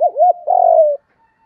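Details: A single spotted dove phrase for rousing training birds: two quick wavering hoots sliding into a sustained, buzzy, gently descending coo, then silence.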